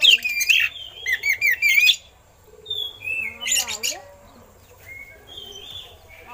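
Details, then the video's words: Oriental magpie-robin (kacer) song filled with eagle-call imitations, meant as a master recording for training other songbirds; rich high whistled phrases, rapid rising and falling slurs and a burst of harsh notes, then softer whistles after a pause. "Suara Burung Kacer Isian Elang || Pas Buat Masteran"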